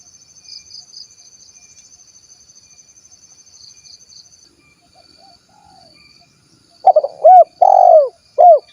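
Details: Spotted dove, 'kuk 1' type, Cilacap, Central Java, Indonesia: after several seconds of near silence with a faint high insect-like hum, a cooing phrase of four low notes, one longer, the others short and rounded.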